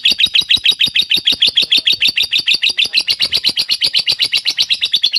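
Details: Lovebird of the fighter type used as a lure to prompt other lovebirds into long ngekek singing: rapid, shrill, repeated chattering notes, about eight per second, loud and unbroken throughout.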